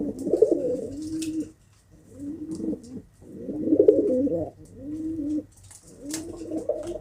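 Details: Pigeon cooing in bursts about a second long, each a low warbling, arched phrase, separated by short quiet gaps, with faint clicks between.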